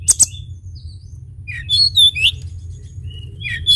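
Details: Sunda bush warbler singing high, thin clicking notes followed by a jumble of sliding whistles and twittering phrases, with a constant low background rumble.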